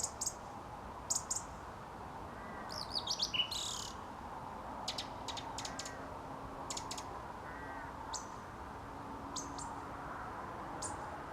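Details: Song thrush singing at dusk outside a studio: short, bright, high phrases in separate bursts, some given twice, over a steady low background hum, with a few fainter, lower calls in between.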